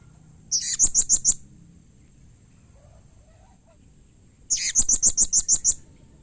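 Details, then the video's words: Shrill, rapid series of about seven high chirps, a pause of three seconds, then a longer run of about ten: a blue-crowned hanging parrot call said to make other hanging parrots reply quickly. "SUARA Serindit Seperti Ini Paling Di Sukai & Cepat Di Respon Bikin Nyaut Semua Burung Serindit"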